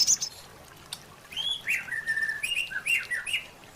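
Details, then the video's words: White-rumped shama song from a training recording for caged birds: a short high note, then a varied run of clear, slurred whistles that rise and fall in pitch, with brief pauses between phrases. "White Rumped Shama Song"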